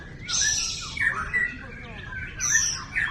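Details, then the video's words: White-rumped shama, hailed as a champion songbird: bright, high trilled phrases alternating with lower whistled notes in two loud bursts, with faint speech in the background. "Burung Kecil, Suara Sadis! Ini Dia Murai Batu Jawara Semua Kelas"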